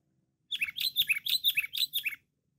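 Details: Sooty-headed bulbul, described as loud and constantly chattering, gives a quick burst of about seven bright, bubbly notes, each slurring down, packed into under two seconds against quiet.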